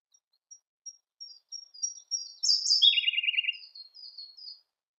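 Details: Singing Siberian blue robin: a series of short, high, thin notes quickening toward a loud outburst. It drops into a rolling, rattling trill, then a few quieter high phrases.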